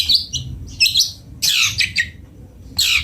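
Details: Long-tailed shrike singing a sweet, varied song: short bursts of high, bright chirps and twittering notes, separated by brief pauses, with a loud, scratchy phrase near the middle.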